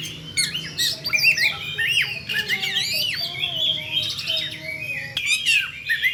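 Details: Kacer calling in 'ngeplay' fashion: an Oriental magpie-robin pours out varied whistled phrases, bent slurs and chattering trills, with a brief pause before a final burst of sharp rising and falling notes.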